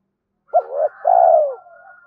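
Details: Spotted dove coo meant to stir up other doves: a quick rising note sliding into a low phrase, then one long sustained coo that falls at the end, with a faint thin tone lingering behind.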